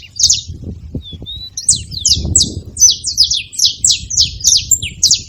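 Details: Saffron finches noisy at a feeding spot. An early chirp and a couple of soft whistled notes lead into a steady string of crisp, high, falling chirps.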